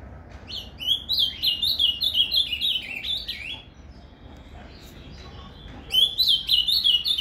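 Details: Azulão, the ultramarine grosbeak, in Paraná fibra song, used to stimulate a captive bird: a quick sequence of bright slurred whistles for about three seconds, a quiet pause, then the warbling phrase starts again.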